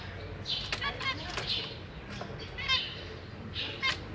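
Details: Caged zebra finches, babies newly out of the nest and practicing flying while parents feed them, 6 May 2023: a few nasal, stacked calls and rapid stuttering chirps spaced about a second apart, with wing flutters.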